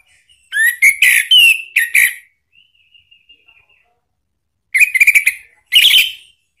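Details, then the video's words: Lure song of an orange-headed thrush, ngeplong style, played to make a pet bird respond: rising whistles mixed with chattery notes, a soft trailing series, then two bursts of quick trilled whistles. "jangan heran kalau ANIS MERAH mu seketika NYAUT ¦ PANCINGAN NGEPLONG"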